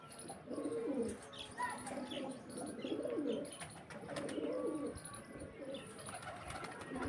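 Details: Repeated deep gurgling coos from pigeons kept in Pakistan, the flock mostly males with four or five females, three or four rolling phrases about a second apart, with faint chirps and wing noise.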